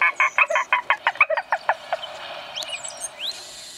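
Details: Spot-flanked Gallinule (Porphyriops melanops) in Conceição do Coité, Bahia, Brazil, gives a quick series of about a dozen harsh, nasal clucking notes that fade out, with faint high whistles from other birds behind.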